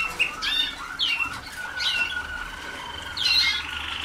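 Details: Young Waterslager canaries in song training, 2010, still unpolished: a few loud, separate arched chirps, each a quick rise and fall, spaced irregularly with quieter warbling between them.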